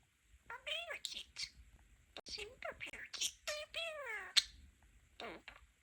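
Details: Pet male budgerigar excitedly chatting with its owners indoors, mixing its favourite phrases "Amazing" and "Wonderful"; squeaky, warbling mimicked speech in short rising and falling bursts, some sliding downward, separated by brief pauses.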